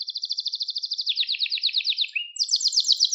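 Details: Canary singing for training young birds: a fast, steady trill of repeated notes that drops slightly in pitch, then a brief slur and a higher, quicker rolling trill.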